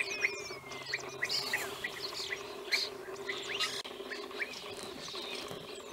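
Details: European bee-eaters filmed in the wild in Romania in 2016, giving brief trilled calls repeated about every half second, overlapping with thin high chirps and a constant low background hum.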